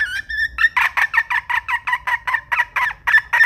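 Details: Wild red junglefowl hen giving two short clear notes, then a fast run of about thirteen harsh, clucking notes, roughly four per second, evenly paced, with no other sounds.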